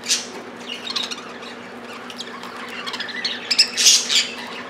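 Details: Household budgerigars bickering over food: a sharp squawk opens, soft chatter follows, then a loud cluster of shrill, grating shrieks near the finish.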